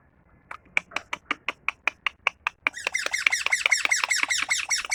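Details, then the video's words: Tame parrot chirping: a steady series of sharp dry clicks about five per second, breaking into a dense rapid stream of rasping, downward-bending chirps. "Parrot chirping"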